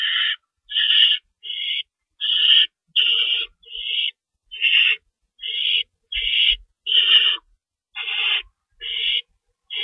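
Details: Nest of owls at feeding time before dawn, March 25, 2012, two rabbits in store and an adult tearing up food: a steady run of about fourteen short, rough hissing screeches, evenly spaced with brief pauses.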